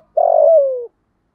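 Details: A single long croon from a spotted dove lure bird of 'giọng thổ' voice, calling to provoke wild doves: a steady low hum that slides gently downward, lasting under a second, with silence around it.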